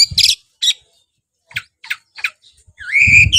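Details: Oriental magpie-robin (kacer) from a hobbyist's collection. Scattered short harsh chirps are separated by silences. The clip ends with a clear rising whistled note over a low rumble.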